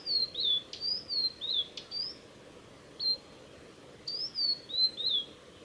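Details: Male Blue-and-white flycatcher in song on the Mizusawa forest road, Tanzawa, Japan, 8 June 2020: bright, high whistles falling in pitch, delivered in short bursts of two or three notes with a brief pause midway, over quiet forest background.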